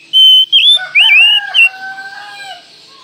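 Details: Oriental magpie-robin training recording meant for morning, noon and night: a few loud clear whistled notes sliding up and down, then fading lower tones with a soft background hiss.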